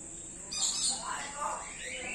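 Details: Common hill myna at Jamshedpur Zoo after lockdown, mimicking human speech: a short, speech-like harmonic phrase that rises and falls, over a steady high insect hiss.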